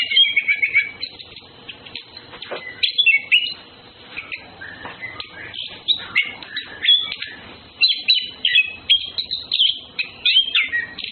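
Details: Male and female orange-headed thrushes flirting sing a rich, varied stream of sweet whistles and quick chattering phrases, high-pitched and nearly continuous; Orange-headed thrush.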